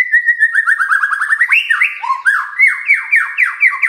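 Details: Magpie-robin song for prompting a quiet bird to sing: fast rhythmic whistled notes, about three or four per second, rising into repeated downward-sweeping slurs.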